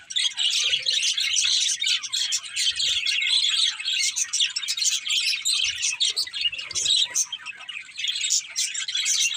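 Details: A budgerigar flock keeps up loud, nonstop chirping, dense high warbles and twitters running continuously with only brief dips in volume.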